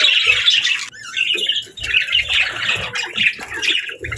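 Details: Budgerigar parents feeding chicks: loud, harsh squawking chirps in clusters, a short break near one second, then repeated scratchy chatter bursts to the end.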